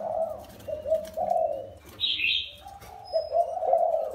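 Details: Short series of low husky coos from a spotted dove taken from the wild and caged for four years, interrupted by one loud high chirp from another bird.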